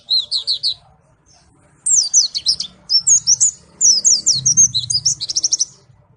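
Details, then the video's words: White-eye (pleci) from Malang giving several bursts of high, rapid chirping song, short groups of sharp twisting notes ending in a quick trill-like series, with a low murmur in the background. "pleci Malang suara mantap"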